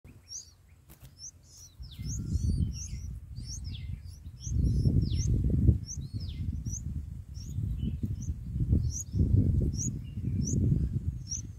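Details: Bulbul nestlings give a rapid stream of thin, high, squeaky begging notes, several per second, as an adult bulbul feeds them in the nest on day 3. Loud, low rumbling and thumping noise runs underneath.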